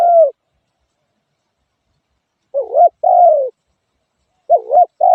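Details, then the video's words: Spotted dove calling with long gaps: a trailing coo, then about two seconds later a wavering short note and a long falling coo, then the pattern starts again. No background sounds. "suab nquab lauj kaub tawg เสียงนกเขาใหย่"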